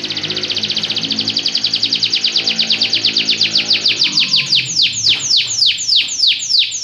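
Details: Belgian canary song made of a fast, even series of repeated notes that gradually slow into wider, louder descending sweeps near the end.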